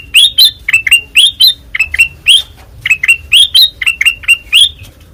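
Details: Kutilang emas with white eyes, the Ruby-throated bulbul, singing ngeplong style: loud, clear chirps about four per second, rising-then-falling notes in short bursts, fading at the end.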